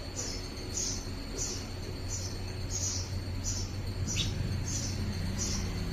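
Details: A house sparrow at a house, examining an artificial nest to decide whether to adopt it, gives short, high chirps about every half second over a steady electrical hum.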